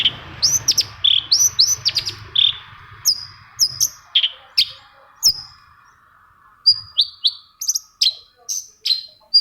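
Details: Long-tailed shrike song for provoking quiet shrikes into singing: crisp, high whistled notes and sharp ticks delivered in clusters, with a short pause midway before a fast run of piercing downslurs.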